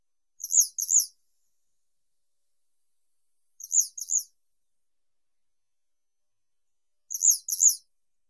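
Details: Western yellow wagtail (Motacilla flava) uttering paired high, slurred notes. Each pair comes about every three seconds, three pairs in all, against a quiet background.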